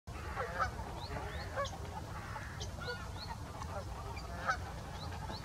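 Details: Greater white-fronted geese at Salford Priors gravel pits on 9 January 2021: a flock giving short, high, yelping calls that overlap and repeat throughout, some rising, some falling, over a steady low rumble of wind or distant traffic.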